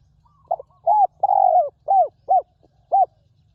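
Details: Wild spotted dove used in ground decoying, praised for a fine, very resonant voice: a run of six mellow coos, one long drawn middle note among short arched ones, over a faint low hum.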